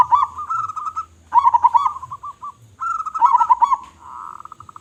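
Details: Local zebra dove, a strong singer with a big voice, producing three rolling coo phrases of quick bouncing notes, each trailing into a softer purr, with faint low rumbling beneath.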